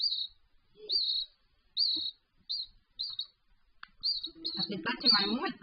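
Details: Hand-fed Raza Española canary chick begging, August 2017. Thin, high peeps repeat roughly every second, then grow quicker and jumbled into squeaky chatter, with low handling noises during feeding.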